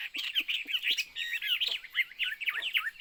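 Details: Short burst of Chinese hwamei song: bright twisting whistles and warbles tumbling quickly one after another, ending in a few rising-and-falling slurred notes.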